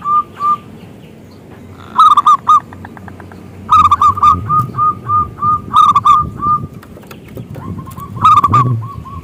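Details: Indonesian local zebra dove with a big voice, kept as a lure to get rival doves singing; repeated phrases of quick bouncing coos, some loud stressed doubled notes, with faint clicking pulses between phrases.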